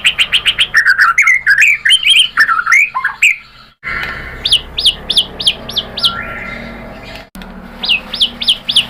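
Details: White-rumped shama song used to provoke another bird into singing: fast varied whistles and chattering notes, then a series of repeated rising-falling whistled notes roughly twice a second.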